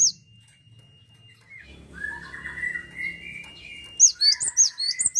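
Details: Vigorous Cinereous tit (gelatik watu) song: a buzzy mid-pitched note over low hum, followed by a run of bright, high, repeated two-part notes at the end.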